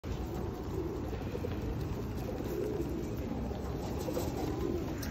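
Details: Feral pigeons being fed in the rain at Osu Kannon in 2021; soft, low, murmuring coos recur through the clip, partly masked by steady rain hiss and a low urban rumble.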